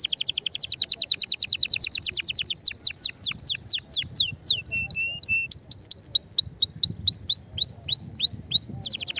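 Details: Canary song played to stimulate other canaries to sing, described as preparing for mating: rapid high trill slowing into drawn-out falling whistles, followed by quick chirped phrases and a returning buzzy rattle.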